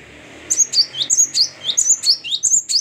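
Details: Gelatik batu, the great tit, in full, open-voiced gacor song: a steady run of sharp, high whistles, each falling from a higher note to a lower one, repeated quickly for over two seconds against a soft background hiss.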